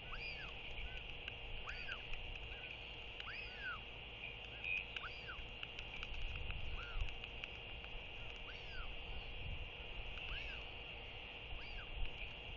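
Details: Royal albatross chick begging for food from an arriving parent at the nest in early-morning fog, 5 January 2023, with short, arched, nasal 'whee' and 'woo' calls repeated every second or so over steady wind and a low rumble.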